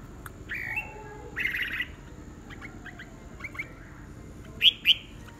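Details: Red-whiskered bulbul singing in a morning singing contest: short bright whistled phrases, some warbling and some sharply rising, scattered through a quiet background with faint clicks.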